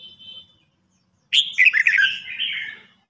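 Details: Red-whiskered bulbul in a singing contest, a mature bird challenging a young one: a loud burst of warbled, slurred whistled notes with a sharp onset, after a brief higher note and a pause.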